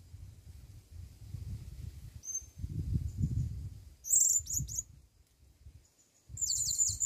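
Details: Blue-crowned hanging parrot calling to a female on its first time brought into the forest: two short bursts of shrill, very high chattering notes late on, over a steady low rumbling background.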